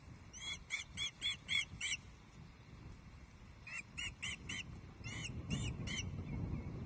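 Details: Loch Arkaig, Scotland, 5 May 2023, evening: a female Osprey at her nest complains to her mate over a fish delivery. A rapid run of about six sharp, ringing chirped notes, a pause, then another quicker series, over soft low rumble.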